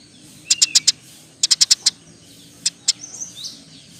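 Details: Eurasian tree sparrow in steady song, a fast 'roll tembak' style used as master song for training other songbirds: two tight bursts of four to five sharp high chirps, then two single chirps and faint softer notes.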